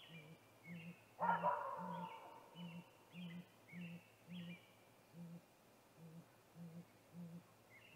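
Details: Male great gray owl at a snag tree nest, 8:45 pm on 21 April 2019, calling before a nest visit; deep, soft hoots repeated evenly about every 0.6 seconds, one loud rustling burst early, with thin whistled songbird notes above.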